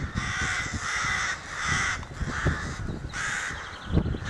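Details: Crows at a rookery in May 2018, calling excitedly around their nest: about five harsh, drawn-out caws in quick succession, some overlapping, with a rumbling background.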